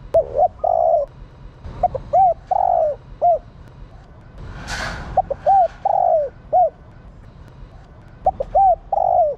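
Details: Female spotted dove calling to rouse males into cooing: repeated phrases of two or three short coos, a longer falling coo and a final note, with a brief noisy burst midway.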